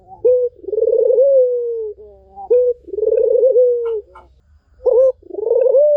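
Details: Barbary dove giving repeated coos to stir a mute bird into song. Short upswept notes alternate with long quavering, descending hums, three phrases in a row, with faint ticks in between.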